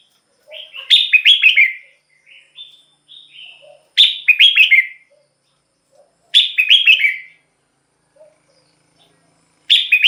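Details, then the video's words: Repeated red-whiskered bulbul phrases roughly every two and a half seconds, each a fast run of bright warbled notes, with soft quieter notes between; recording for luring wild birds or exciting kept birds. "เสียงนกกรงหัวจุก สำหรับต่อ หรือ เปิดให้นกคึก"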